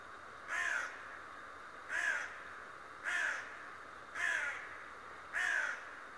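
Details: Raven, described as talking and spying every day, caws five times at an even pace, roughly one harsh, short call a second, against steady background hiss.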